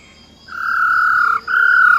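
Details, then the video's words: Female silver-eared laughingthrush in wild-type song, used to stir up males: a sustained clear whistle broken by one brief pause, then carried on at the same pitch. "Tiếng Chim Khướu || Khưới Mái Bạc Má RO RO || Giọng Rừng Hót Chuẩn - Kích Trống Lên Lửa Cực Nhanh"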